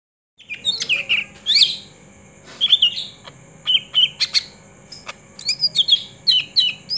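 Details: A greater green leafbird sings a master-song: loud, varied bursts of sweet whistles, chatters and sharp chips, each under a second with short pauses between. No other sounds are heard.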